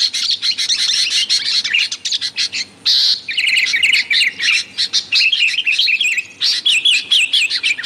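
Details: Dense, excited calling of sooty-headed bulbuls used to lure wild bulbuls: fast chirps with bouncing, zigzag whistled notes, the chorus dipping briefly and returning in lively bursts.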